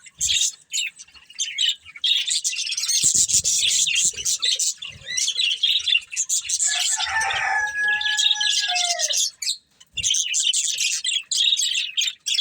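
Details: Pair of breeding budgerigars eating and chattering: busy high scratchy warble, interrupted midway by a few clear whistled notes that glide downward, then the chatter resumes after a short silence.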